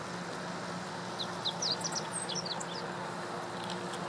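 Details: Meadow bunting, April 2017 at Lake Teganuma; a single hurried phrase of high, squeaky notes in mid-recording, partly masked by a broad rumble of traffic-like noise.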